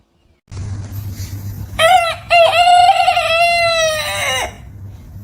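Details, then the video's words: Morning crow of a rooster over a steady low hum: a short opening note, then a long harmonic crow of about two seconds that bends downward at its end. "roosters crowing sound | crowing roosters | crowing sound effect | morning sounds"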